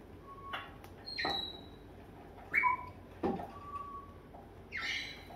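A grey parrot gives a string of short, clear whistles at several pitches, mixed with harsh, speech-like bursts and clicks in a quiet room.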